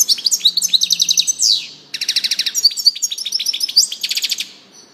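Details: Lively European goldfinch song of quick repeated tinkling notes and trills, one buzzy downward sweep, a short break after the first two seconds, then more rapid chattering phrases.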